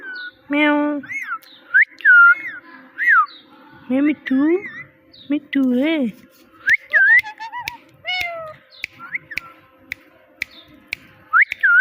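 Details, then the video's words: Pet talking parrot mimicking speech and a cat's meow: low, voiced, speech-like syllables mixed with bright rising and falling whistles near two kilohertz, sharp clicks, and short bursts separated by brief pauses. "Funny Parrot Talking – Mitthu Mitthu Moments!"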